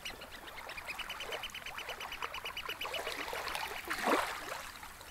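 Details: Eurasian oystercatchers late on a spring evening at Snettisham Beach, Norfolk, giving a rapid, high piping series of sharp notes, about ten a second, over almost-still water gently lapping the sandy shore.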